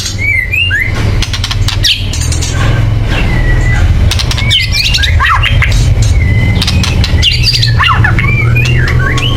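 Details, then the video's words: Agitated white-rumped shama chattering meant to provoke song: scattered whistled slurs and clicking bursts over a strong, steady low-pitched hum. "kretekan keras murai / menaikan emosi agar bunyi"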